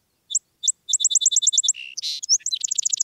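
Song Sparrow song: two crisp, separate introductory notes, then a fast run of about ten bright notes breaking into a buzzy, jumbled trill.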